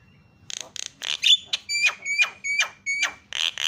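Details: Javan myna calling to draw calls from other mynas: two dry clicks, then a series of sharp notes each ending in a clear whistled tone.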